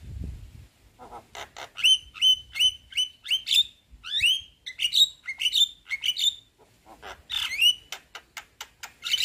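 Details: White-eyed Javan myna's head-bobbing chatter, used to prompt silent birds to sing: clicks and rasps leading into a long series of bright, rising whistled notes with harsh overtones, a brief low thump at the start.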